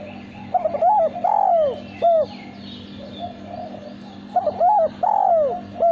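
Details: Loud, clear cooing from a captive male spotted dove kept for singing contests: two repeated phrases of stuttered lead-in notes, a long downward-sliding coo and a short ending note.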